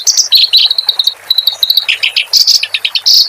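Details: Song of the clamorous reed warbler, used for training cage birds: rapid repeated squeaky notes on a steady pitch, broken by lower scratchy warbles and loud harsh bursts.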